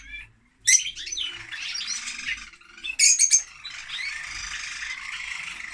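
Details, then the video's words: Lovebirds keep up a continuous high, raspy twittering, with two louder bursts of sharp screechy notes rising out of the chatter after a short quiet start. "Love Bird singing (Lovebird)"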